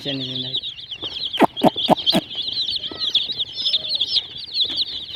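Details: Colourful baby chickens chatter in constant high peeps, joined by four loud clicking taps in quick succession and a couple of soft lower calls.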